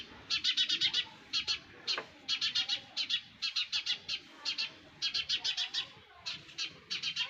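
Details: Nestling sparrows begging in a steady stream of short groups of shrill, rasping chirps, about four per second, with one sharp click near the middle.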